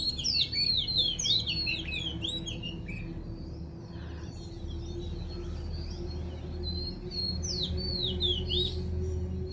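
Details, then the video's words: Morning song of a small bird: bursts of high, quickly slurred whistles in the first seconds, then scattered softer notes over a constant low hum and a steady mid-pitched drone. "Amazing bird's sound in the morning."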